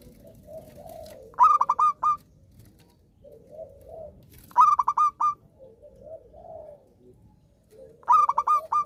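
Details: Zebra dove singing steadily, used as therapy to restart other doves that stopped singing; three phrases of bright, pulsed cooing notes, each four or five quick beats, roughly every three and a half seconds, with soft low warbling between.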